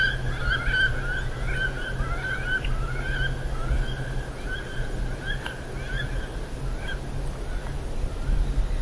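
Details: Wood ducks giving a run of wavering, drawn-out squealing calls that overlap and rise and fall in pitch, with a few sharp clicks, over a constant low hum.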